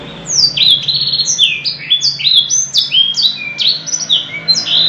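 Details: Canary singing a long, rich 'gacor' song with luxurious 'cengkok mewah' variations: a rapid run of clear whistled notes, each sliding downward, repeated several times a second, with a faint low hum behind.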